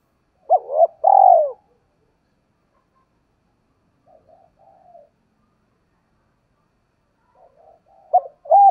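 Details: Lure cooing of a spotted dove, giọng thổ voice style: a burst of three coos with a short roll, soft muttering notes in the middle, and two more clear coos at the end. Background is silent.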